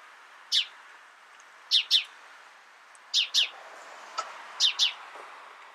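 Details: House sparrow giving loud, clipped chirps in doubled bursts roughly every one and a half seconds, four pairs in all, over a steady soft hiss.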